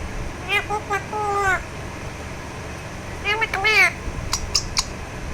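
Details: Talking Alexandrine parakeet enjoying a massage gives two bursts of harmonic, wavering, speech-like vocalizations with sliding pitch, followed by a few short clicks and faint background hum.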